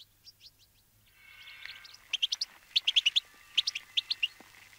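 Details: Wintering flock of Bramblings (Fringilla montifringilla) feeding on sunflower seeds gives a busy chatter of short, bright chirps, several to the second, with a few thin drawn-out whistles and a faint low hum.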